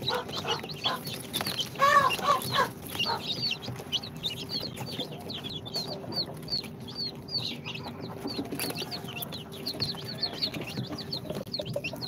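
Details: Two-day-old chicks of Sultan, Golden Sebright, Cochin and booted breeds, hatched in an incubator, calling together in a busy chorus of shrill high peeps, with a brief lower trill early on.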